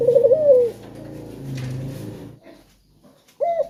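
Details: Male spotted dove calling as a lure for other birds to sing: one trilled coo sliding into a descending note, then quiet room noise and the start of another coo.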